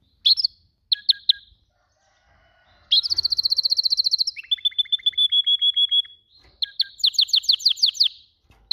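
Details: Varied canary song: scattered chirps, a rapid high trill, a slower series of dropping notes, a held whistle and a final burst of sharp downslurs.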